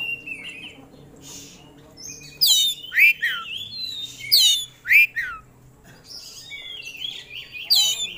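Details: Kept oriental magpie-robin of a competition songbird type, in full song and showing off its repertoire: loud downward-sweeping whistles in bursts about every half second to second, mixed with thin buzzy high notes over faint low background hum.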